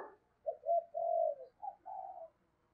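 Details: Spotted dove giving 'giọng thổ' deep-voiced 'thúc gù' cooing: a single soft phrase of two short coos, a long sustained coo, then a quick note and a longer falling coo, heard fairly quietly.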